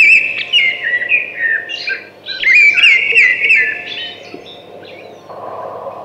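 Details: Thrush in song: continuous rich, varied phrases of fluty whistles and rapid twittering notes that shift in pitch, tailing off near the end over a constant low background hum.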